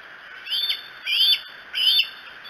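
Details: Bald eagle on the Decorah eagles live camera, night of 07-02-2018, around 3 to 4 a.m.: three loud, shrill, piping chirps with a rising-and-falling shape, each roughly a third of a second, over a faint steady hiss.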